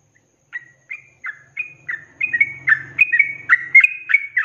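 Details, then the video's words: Sooty-headed bulbul delivering ropelan song for cage-bird training: spaced single whistled notes that speed up into a dense, bubbling run of slurred phrases, over a faint low hum. "SUARA ROPELAN BURUNG TRUCUK GACOR"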